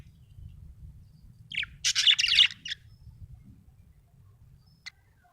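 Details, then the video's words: Budgerigar giving a brief loud run of harsh, buzzy chattering pulses after a quiet start, then a single faint chirp, with low background hum. "budgie chirping sound"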